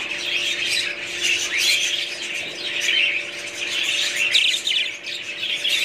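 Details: A group of budgerigars keeps up busy, high twittering with buzzy warbled phrases and a few sharper chirps, backed by a low steady hum.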